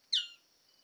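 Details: In hill forest of West Papua, New Guinea, a Magnificent bird-of-paradise (Cicinnurus magnificus) filmed during courtship gives one harsh, high, slightly falling note about a quarter-second long, then quiet with faint background hiss.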